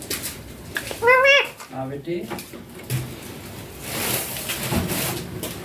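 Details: Baby green Indian ringneck parakeet in a home, talking: an early short rising harmonic call, followed by softer lower mumbled sounds and a hissy background later on.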